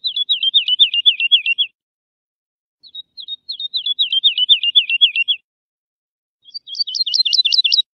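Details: Lark singing, used to teach chicks the song. Three bursts of rapid rolling, slurred notes are split by short silences. The last burst is higher, with doubled notes, and the recording is clean.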